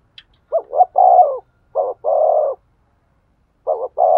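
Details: Spotted dove coo for stimulating a male: three low, rough phrases in quick series, each two brief notes then a long even coo, the last one cut off.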